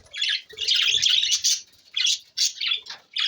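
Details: Budgerigars recorded June 20, 2024 give a rush of harsh, squawky warbling, then several separate scratchy chirps with short gaps between them.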